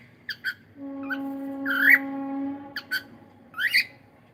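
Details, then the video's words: Cockatiel singing in the morning, short bright whistled chirps and a rising-falling note, with a steady low tonal hum running underneath. "gud morning 🎀❤️ cute Cockatiel singing and sound"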